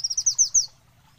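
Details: High, thin trill from an olive-backed sunbird: five or six quick downslurred notes, each a little louder, then silence.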